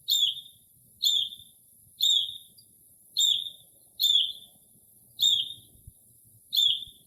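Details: Early spring midnight concert by a Northern mockingbird copying other bird calls near a house: a sharp downward-slurred whistle repeated seven times at about one-second intervals in otherwise still air.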